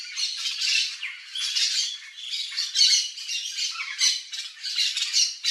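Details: Yellow-faced Parrot in natural habitat in the Cerrado of Brazil, visiting a backyard; a steady stream of coarse, buzzy squawks, nearly one per second, irregular and overlapping.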